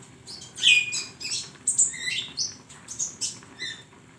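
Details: Flowerpecker singing as a training recording for songbirds, a rapid run of sharp, very high tweets and thin slurred notes, closely spaced and varied in pitch.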